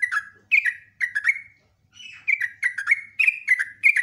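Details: Long lure song of a sooty-headed bulbul: clear chirpy, bubbling phrases, each a cluster of short falling notes, repeated almost twice per second with a short break near the middle.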